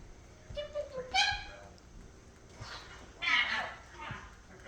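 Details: Pet male red-sided eclectus parrot, three years old, babbling gibberish indoors before bedtime, which he does only when he thinks no one is watching; short speech-like squawks and garbled word sounds in separate bursts, with household noise between.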